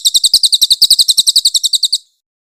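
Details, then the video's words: Loud, clear 'tembakan kasar' shots from a Grey-headed canary-flycatcher, recorded as a master for training songbirds: about eighteen sharp, high, buzzy notes in two seconds, softening toward the end before silence. "AUDIO MASTER BURUNG CILILIN GACOR FULL TEMBAKAN KASAR & SUARA JERNIH"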